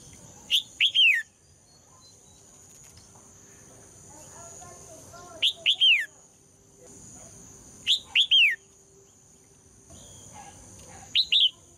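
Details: Four repeated phrases from a female red-whiskered bulbul, sung to make males answer vigorously. Each phrase is two quick rising whistles and a longer downward slur, with quiet twittering between and a steady thin whine.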